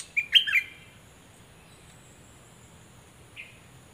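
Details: Cream-vented bulbul used as a decoy bird, 11 July 2021: a quick, warbled phrase of three slurred notes, then a long hush broken by a single soft note near the end, over faint background hiss.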